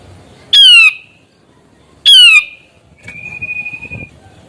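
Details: Grey-cheeked bulbul in gacor song, aimed at coaxing reluctant birds to sing: two loud, harsh descending squawks about one and a half seconds apart, then a faint flat whistled note.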